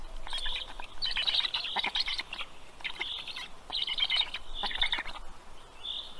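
Black heron chicks beg with harsh, high, chattering squeals in urgent bursts of about a second, pausing briefly between them.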